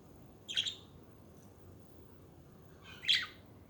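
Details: A pair of harsh, squeaky budgie chirps separated by about two and a half seconds of quiet, the second one louder and slightly longer.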